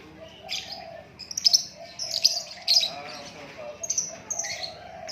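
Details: White-rumped shama singing naturally, giving short, sharp high chirps and whistled notes every half second or so above a continuous low, mellow warble.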